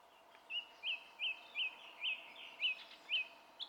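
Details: Song thrush song recorded on 27 April 2016, a single bright, sharply rising note repeated seven times at steady half-second intervals, with a different note starting at the end over faint background hiss.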